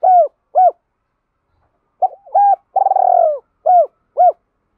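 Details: Spotted dove giving a lure song to provoke other doves: clear, hollow coos in pairs and short groups, with one longer purring coo in the middle, over a silent background.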